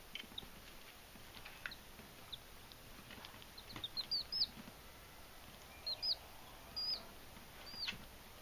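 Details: Belgian d'Anvers chicks investigating their new dish waterer on the first night home. Faint high cheeps early, then a busier run of thin descending peeps around the middle and a few more near the end, with light clicks.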